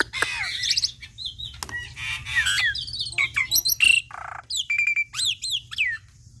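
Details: Varied song of a young black-winged myna recorded to teach other mynas: rapid chattering whistles, buzzy bursts and sharp upslurred notes in short phrases, with brief pauses and a faint low hum behind.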